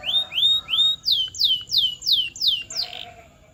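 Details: Singing canary, meant to spur other canaries into song: three upward-sliding whistled notes, then a loud series of downward-swooping notes repeated roughly three times a second, fading at the end.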